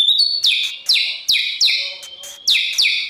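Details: White-rumped shama being trained to sing for competition, giving a series of sharp high descending notes repeated about every half second over a faint sustained tone.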